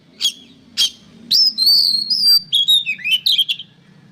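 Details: Oriental magpie-robin, called kacer, singing as tutor material for songbirds: two sharp chips, then a sustained high whistle and a fast sequence of varied warbled and descending whistled notes over a low background hum.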